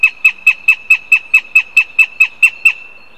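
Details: Begging calls of a northern goshawk at a live-streamed nest in Riga, Latvia: a fast, steady string of about thirteen loud, sharp, identical yelping notes, roughly four per second, with almost no background noise.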